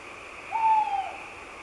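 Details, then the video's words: Tawny owl singing in the dark of night from high in an oak tree: a single drawn-out hoot lasting about half a second, steady then gently falling in pitch, over a faint background hiss. "Chouette hulotte ( Strix aluco ) , chant dans la nuit"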